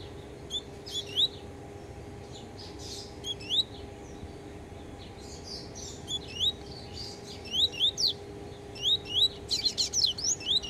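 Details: Yellow-bellied seedeater in beak moult sings short phrases of clear, upslurred whistles, spaced irregularly and growing denser toward the end, with a steady background hum.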